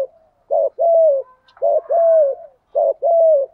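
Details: Spotted dove delivers its cooing to stimulate other doves to coo. Three paired phrases, each a short low note then a drawn-out falling coo, come roughly every second, with faint soft notes between.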